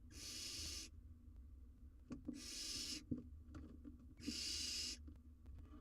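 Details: Young wild barn owl on a live cam, attempting to eat a giant jird. Three rough, hissing screeches come roughly every two seconds, each near a second long, with scraping and shuffling sounds between.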